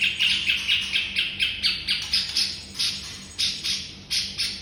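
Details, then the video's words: Training master of a white-rumped shama: a fast, even series of bright, harsh chirps, about two to three a second, turning louder and more spaced toward the end, over a faint low hum. "Masteran muraibatu"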